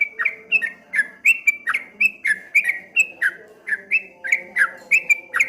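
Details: Streak-eared bulbul singing 'ropel ngombak banyu', a rapid rippling style: quick chains of bright, down-slurred whistles that flow steadily with little pause, over a soft low background hum.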